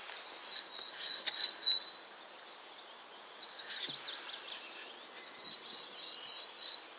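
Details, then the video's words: Willow tit singing in the wild: a series of about six clear, evenly repeated whistled notes, a quieter stretch of faint buzzy notes, then another run of the same steady whistles. "Willow tit / Czarnogłówka"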